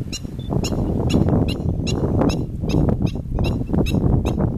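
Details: Repeated loud, nasal yelps from a Black-winged stilt, each note short and clipped, coming in a regular run of about two per second against strong background rumble.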